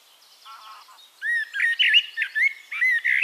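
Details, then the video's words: A Eurasian blackbird in Castricum, the Netherlands, opens with soft low chuckling notes, then bursts into loud mellow whistles and warbled fluty phrases ending in repeated high squeaks. "One Hour Relaxing Birdsong: Blackbird"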